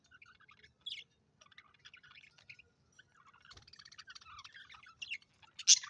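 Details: Pet Australian budgies chirping quietly: scattered high twittering notes that thicken into steady warbling, ending in a loud squeaky call.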